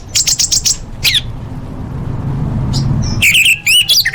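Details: Orange-headed thrush training song full of fill-in variations for major contests: a quick trill of chirps, a hushed gap, then twisting high whistled notes, with a faint low hum.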